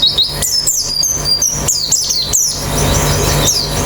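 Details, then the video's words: White-eyes heard as therapy for quick, open-beaked singing: a lively burst of high chirps and whistled sweeps for about two and a half seconds, then mostly quieter with a single late chirp, over a low hum. "Terapi Pleci Cepat Ngalas Buka Paruh"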